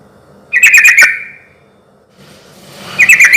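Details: Lively sooty-headed bulbul song, used as a lure to provoke other bulbuls into answering. A brief rapid string of sharp chirps, then quiet, then another chirpy burst at the very end.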